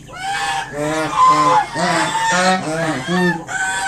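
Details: Mother swan guarding five newly hatched cygnets honks at an approaching person to drive them off: a run of nasal, harmonic honks in quick succession, each short and slightly falling, almost continuous across the clip.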